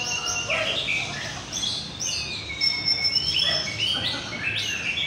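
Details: Contest-singing white-rumped shama (murai batu) in North Jakarta, Indonesia: varied high whistled phrases, short trills and slurred notes in quick bursts, with a thin sustained tone and several birds overlapping.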